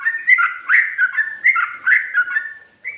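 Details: Caged streak-eared bulbul performing its ropel song style, with ngikluk and garuda-type phrases: loud, rich whistled warbles in rapid rising and falling bursts, repeated about every half second, with no other sounds.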